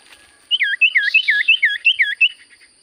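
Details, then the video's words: Common iora in full song: a quick run of about eight clear whistled notes, each dipping then rising, repeated roughly every quarter second, with a faint steady electronic tone behind. "Burung sirtu cipoh gacor suara paling Top"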